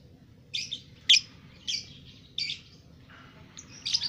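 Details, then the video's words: Two-month-old lovebird's ngekek: a run of five sharp, scratchy, high chirps spaced roughly half a second apart, then a brief lower buzzy note and two final shrill chirps. "Love Bird umur 2 Bulan Sudah Ngekek"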